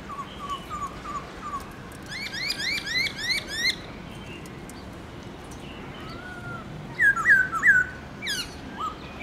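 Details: Black-throated laughingthrush, kept bird, singing a multi-note forest-style morning song: soft repeated whistles, a rapid string of rising notes, then three loud clear slurred whistles and a downward sweep.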